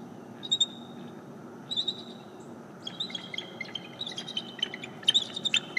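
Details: Bald eagle at its nest giving a morning greeting, caught on a live nest camera: thin, high chittering notes in short bursts, speeding into a rapid piping series toward the end over a low steady background hum.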